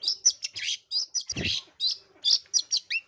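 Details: Long-tailed shrike lure song, a vigorous bird in breeding condition: a dense jumble of high chirps, raspy bursts and short whistles, with one brief low thump midway.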